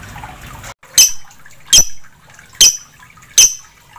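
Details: Ink-blue lovebird singing actively: four sharp, shrill chirps, each a brief burst, spaced about every 0.8 seconds over a quiet background.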